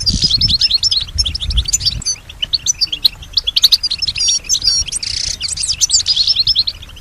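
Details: Pet European goldfinch singing, a bird described as copying nearby sounds; rapid tinkling twitters and short whistled notes in an unbroken stream, with a low thump at the start and faint household noise.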